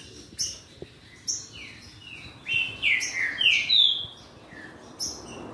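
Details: Green-winged saltator song duel meant to excite another bird into singing: clear whistled notes sliding downward, given in short separated bursts with brief pauses between phrases.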